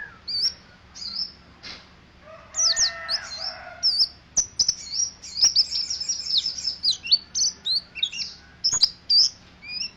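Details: Mountain white-eye from Mount Ciremai, its song a rapid run of high thin chirps and short whistled trills, sharply rising and falling notes repeated densely through the second half, with a softer lower warble early on.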